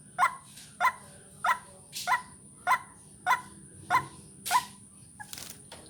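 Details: White-breasted waterhen calling, as used for luring birds: evenly spaced, clipped nasal croaks about every 0.6 seconds, eight in a row, with a constant thin high-pitched whine and faint low rumble underneath.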